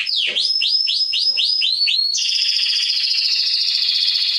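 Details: Melodious canary song meant for teaching young birds: a chain of clear swooping whistles repeated twice a second, then a long, even, rattling high trill.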